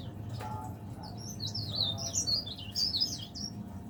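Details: Caged leaf warbler, kept as a pet, which sings from morning to evening; a rapid run of high, thin twittering and warbled notes with quick up-and-down slurs, over a low steady background hum.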